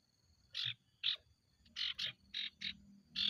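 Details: Sirtu, the ashy tailorbird, sings loud harsh chattering notes in an uneven run, seven bursts in three seconds, some paired closely, used as a lure to make other tailorbirds sing.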